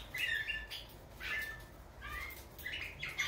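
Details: Singing European goldfinch, subspecies major: lively, twittering phrases of chirps and short warbled notes in several bursts, separated by brief pauses, over faint low background noise.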